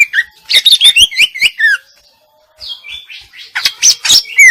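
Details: Rapid tumbling phrases of twisting whistles and clicks from a female greater green leafbird, a short silence, then a second burst of bright chirps ending in a falling whistle.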